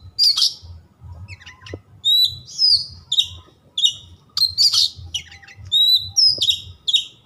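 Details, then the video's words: White-rumped shama, a kept songbird, pouring out quick phrases of ringing whistles, stacked high notes and rough buzzy bursts, repeated with short gaps throughout; low hum in the background. "100% Nyambar Kacer anda setelah mendengar suara kacer yang satu ini."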